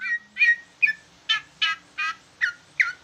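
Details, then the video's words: Leafbird of a large type singing with trucukan-style phrasing, giving eight harsh, rich chattering notes about every third of a second, some ending in a short whistled inflection. "Ci ijo jumbo rasa trucukan ngoceh"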